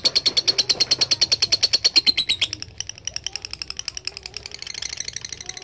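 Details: Loud, quick lovebird ngekek trill of shrill repeated notes for two and a half seconds, after which it fades into softer, scattered chattering chirps.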